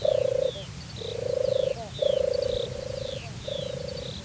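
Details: A displaying European turtle dove purrs at a watering place in Azerbaijan's Turianchay Reserve: low, throaty, rolling phrases one after another, while other birds chirp and twitter faintly at a higher pitch.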